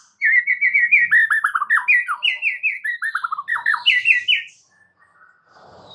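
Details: White-rumped shama song played to prompt a silent bird to start singing: a rich, fast run of varied whistled and slurred notes, some rising and some falling, delivered in quick succession for about four seconds, then quiet.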